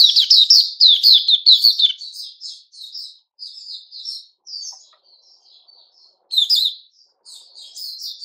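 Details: Sooty-headed bulbul, a male, recorded 10 July 2021, opening with a loud run of quick tumbling chirps, then softer scattered whistled notes, and a brief loud burst near the end.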